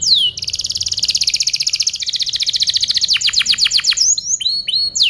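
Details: Canary tutor song for other birds: long fast buzzy trill of rapid repeated notes, slowing into deep downward-sweeping whistles, then a few rising slurred phrases.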